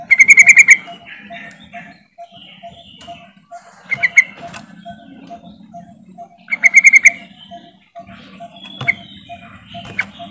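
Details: Yellow-vented bulbul lure call used to prompt silent bulbuls to start singing: short bursts of rapid, stuttering bright notes roughly every three seconds, over a steady low hum and faint background chatter.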